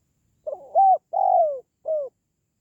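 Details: One phrase from a spotted dove, a call played to boost pet doves or lure wild ones: stuttering short opener, level hoot, long downward-sliding coo, then a brief falling note, in a quiet setting.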